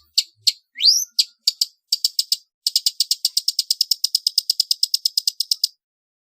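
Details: {'caption': 'Long-tailed shrike, a trotol training song for competition birds: a few separate chirps and one rising whistle, then a fast, even, rattling trill of high notes held for about three seconds.'}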